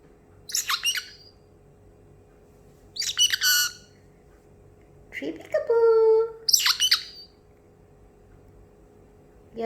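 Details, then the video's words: Pet parrotlet indoors, excited after treats and almonds, imitating sounds: three short, harsh, high chirping bursts spaced a few seconds apart, with a woman's voice speaking between them. "the parrotlet making water sounds and having lots of fun!"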